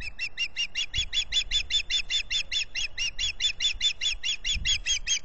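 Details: Female osprey begging at a Salt Point nest during spring, with the returned pair courting and rebuilding the nest. Continuous fast run of piercing, high, repeated chirps, about two or three per second, with faint low rumble beneath.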